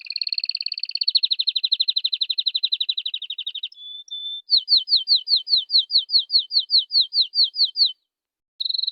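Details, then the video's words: Singing canary: a rapid, slightly falling pulsed trill for over three seconds, two brief flat whistles, then about fifteen crisp hooked whistled notes in steady succession. After a short pause, another trill begins. "If the canary does not tweet like this, then let it go"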